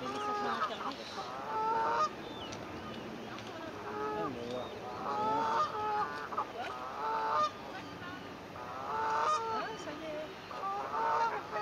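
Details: Swans on the first day of their cygnets, recorded 9 May 2024 by phone: loud nasal honks with a bright harmonic stack, given in irregular bursts of two or three, about sixteen per minute, over steady background hiss.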